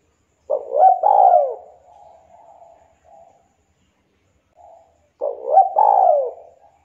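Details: Javanese local spotted dove, prized for a sweet, sharp voice and played to coax quiet doves into singing: two full phrases about five seconds apart, each a stuttering coo rising into a long falling note with soft murmured tails.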